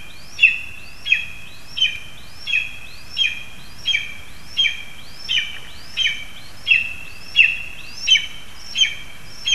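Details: Lesser spotted eagles in spruce, Zemgale, Latvia, around a frog delivery to the young. Fourteen high, yelping notes are repeated steadily about every 0.7 seconds, apparently from two overlapping voices, over a constant hiss of background noise.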